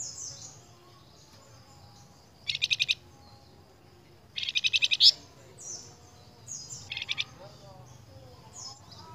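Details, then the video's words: High, fast pulsed trills of a flamboyan from a lure recording for training cage birds, three bursts over nine seconds, the middle one longest, with faint thin whistles and soft hum between. "PANCINGAN BURUNG FLAMBOYAN YANG GACOR"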